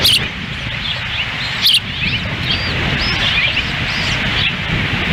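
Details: Ospreys at the nest in Lolo, Montana, June 10, 2017, a female feeding chicks in wind beside the male; two loud high chirps open, followed by softer, fainter whistled notes under steady wind.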